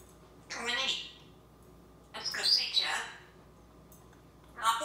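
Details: Pet African grey parrot at home in Texas, talking while his breakfast is prepared; short bright vocal bursts with speech-like formants, three phrases separated by pauses of about a second, quiet room background.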